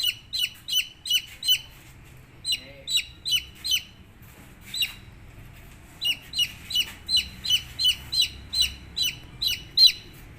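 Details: Several high, falling peeps from baby chicks come in uneven runs with short gaps, plus a brief low murmur and faint background hum.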